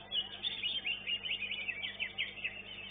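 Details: Caged greater green leafbird in a singing competition, elite class: a fast, continuous run of high chirps and slurred whistles, notes tumbling one after another without pause.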